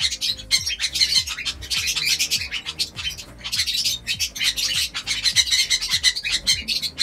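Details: Flock of aviary lovebirds at a feed of vegetables and egg soft food, giving rapid shrill chirps and rasping squawks in near-continuous bursts over soft background music.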